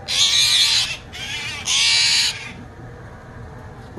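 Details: Angry young Steller's jay that fell out of its nest, being rescued: three loud, harsh, raspy screeches, each under a second, with a short quieter rasp between the first two and silence after.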